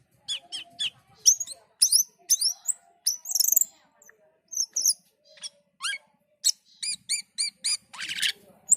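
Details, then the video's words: Black-and-white bulbul singing gacor and teler: lively high whistles and downward slurs, a brief harsh burst, then a quick run of repeated clear notes, with a faint low hum in places. "Suara MENYERAMKAN Burung Cucak keling ketika gacor dan teler"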